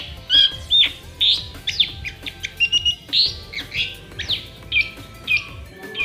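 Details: Tame long-tailed shrike of the Madura type singing actively outside its cage: a rapid, varied series of sharp, high chirps and short whistled slurs, roughly two per second, with tapping clicks in the background.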